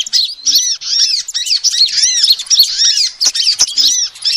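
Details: Female sunbird calls for luring: bright, high arched chirps delivered in rapid succession, an almost unbroken twittering chatter throughout.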